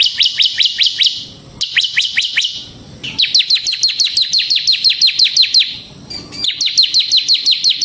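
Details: Semi-gacor bar-winged prinia singing as a lure: long runs of fast, high, evenly repeated down-slurred chips, broken by brief pauses between bursts.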